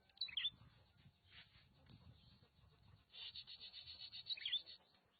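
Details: Oriental magpie-robin from Nagan Raya, Aceh, giving a couple of sharp high whistled notes at the start and again near the end. A fast, rattling buzzy trill falls between them, over low rumbling background noise.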